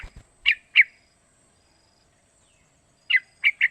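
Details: Young sooty-headed bulbul aged three months calling, used to make other bulbuls sing; two clear bright chirps, a long pause, then three more quick chirps, with faint low knocks at the start.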